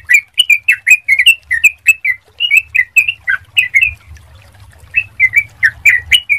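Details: Sooty-headed bulbul on a clear lure recording used to coax other bulbuls into quick song. Rapid bubbly chirps come in bursts, pause briefly near the four-second mark, then resume; a soft low rumble runs beneath.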